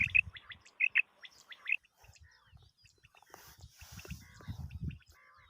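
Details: Common quail calling, a sound used for quail hunting: short, bright, sharp notes in quick pairs and triplets through the first two seconds, followed by scattered faint chirps over low rumbling and handling noise.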